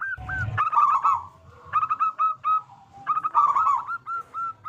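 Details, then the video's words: Local zebra dove in full song, a strong-voiced bird used as a lure for other zebra doves: a quick rolling trill followed by clipped hooked coo notes, given in two bursts, with a low rumbling background. "Perkutut Lokal Gacor Suara Besar Pancingan Burung Perkutut Agar Cepat Bunyi"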